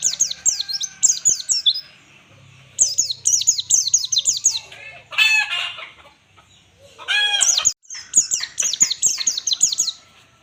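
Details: White-eye ngalas-style master song for training birds: rapid runs of high, sharply descending notes repeated in bursts, interrupted by harsher, buzzier stacked calls in the middle.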